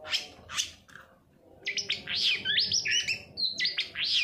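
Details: Long-tailed shrike lure to set quiet birds singing: a few harsh rasping notes, a short pause, then a run of varied sharp whistles and twangy chirps jumping up and down in pitch.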